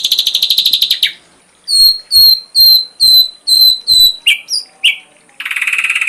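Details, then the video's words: Ashy drongo, full-repertoire tutor recording for songbirds: a fast harsh rattle, then eight loud, even whistles at regular spacing, a few lower slurs, and a closing buzzy trill. "Masteran srigunting abu abu isian lengkap"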